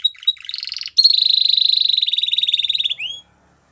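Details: Spanish Timbrado canary singing for training: a high metallic trill near 4k repeated rapidly for two seconds, preceded by short chirps and a buzzy phrase, ending in a rising whistle.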